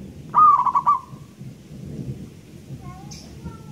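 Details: Local zebra dove from Indonesia, described as loud with a long voice, gives a single cooing phrase of rapid stuttered beats at one pitch, followed by quiet background with faint distant chirps.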